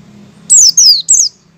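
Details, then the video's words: White-eye giving its opening call before launching into song: three clear, very high whistled notes, each sliding downward, the first two longer, the third shorter, with a faint low hum behind. "suara awalan pleci ngecal sebelum ngalas"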